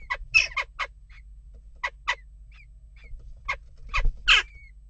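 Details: Western jackdaws stirring up unrest at a nest box: short, harsh, clipped calls in irregular bursts, about nine over five seconds, some in quick pairs, with faint thin whistled notes from another bird between them.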